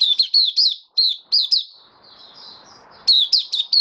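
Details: White-eye (mata puteh) kept as a cage bird, 18 May 2022, post-deworming: bright, high chirps sliding downward, a soft warbled interlude, then another quick burst of sharp notes.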